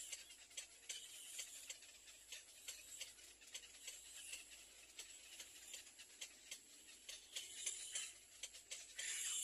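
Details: Baby little egrets at their nest pecking and biting hard at their mother give rapid, sharp clicking pulses, repeated several times a second and slightly irregular, against a constant high hiss.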